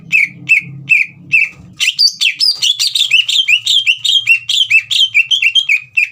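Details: Singing green leafbird used to goad a young bird: four spaced, descending whistled notes, then a rapid unbroken run of rolling whistles and chatter; low hum fades after the opening.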